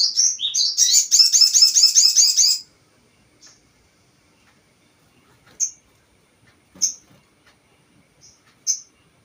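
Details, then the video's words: Crested jay, locally called sogon, used as a lure call to provoke other birds: a rapid, rhythmic run of sharp high chirps for about two and a half seconds, then short isolated high chips spaced a second or more apart. "Pancingan burung sogon"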